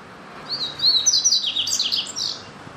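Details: Double-collared seedeater singing a brief, high, rapid phrase of thin whistled slurs and twittering notes that rises into a tumbling jumble, over steady background hiss.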